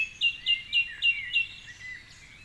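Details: Song thrush in a Cork City dawn chorus, singing at 4.45am from the top of a tall tree beside the Curragheen River. One bright whistled note repeated five times in quick, even succession, then a softer warble.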